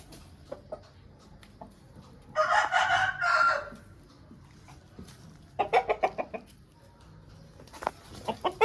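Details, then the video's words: Aseel rooster gives a strong harmonic crow lasting over a second, set among quiet intermittent clucks, with a burst of rapid repeated clucking notes a couple of seconds later. "Aseel Bird Sound Effect || Rooster Aseel Birds Showing"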